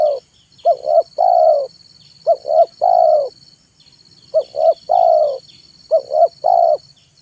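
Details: Spotted dove, called tekukur, cooing in the afternoon as a lure for wild doves: a steady series of phrases built from two short notes and a longer mellow coo, repeated about every two seconds. Soft high chirping and a continuous whine behind.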